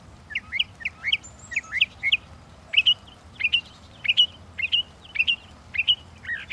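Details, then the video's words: Song of a Northern mockingbird, with short chirpy phrases repeated again and again in a brisk, slightly uneven rhythm, roughly one and a half per second, against a faint low rumble. "The song of the Northern Mockingbird"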